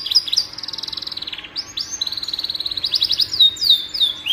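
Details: Canary singing as a shama tutor, with fast rattling trills repeated steadily, long buzzy rolls and a few sweeping whistled slurs, all high-pitched and unbroken.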